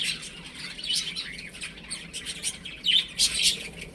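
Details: Chicks playing indoors at home, many overlapping thin high peeps and short chirps, busy and irregular, with two louder clusters of calls near the end over faint rustling.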